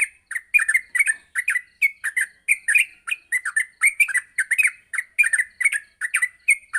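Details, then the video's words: Morning training recording of a yellow-vented bulbul meant to help young bulbuls start singing: continuous lively chirped phrases, quick bubbly notes repeated in a steady pulsing stream. "masteran pagi burung trucuk untuk melatih trucuk agar cepat ngropel"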